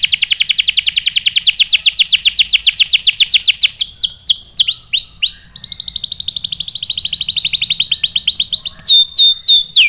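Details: Canary song used to stir a male into singing: rapid high trill of downslurred notes, a few slower swoops, another quick buzzy trill, and sharp chips at the end.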